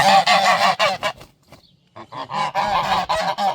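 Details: Geese in a garden giving a loud territorial alarm: harsh, nasal honks in quick bursts, pausing briefly before another run of honking.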